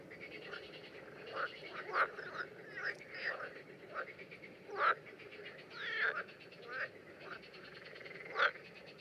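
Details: Common terns during mating behaviour, filmed in the Danube Delta in June 2016: harsh, grating calls come in irregular bursts, about seventeen a minute, some loud and near, others softer, over a steady hissing background.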